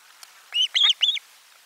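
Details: Osprey at its nest, 12 July 2022, lunch fish delivery. Three loud, clear whistled chirps in fast succession, each bending up and down.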